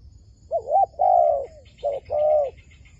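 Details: Wild dove calling as birds are lured toward a trap, a looping two-part coo, then a brief note and a sustained level coo; faint high chirps sound in the background.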